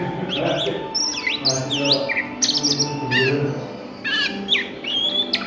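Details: Oriental magpie-robin singing ngriwik at midday, with looping whistled notes that dip and rise, crisp high chips and brief pauses, and a soft low hum throughout.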